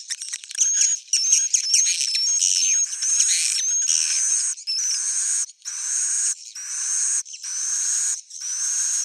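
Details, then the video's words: Original old-style swiftlet sound: busy high-pitched twittering at first, settling into evenly spaced shrill buzzy phrases about one second long, each separated by short silences. "swallow's original sound"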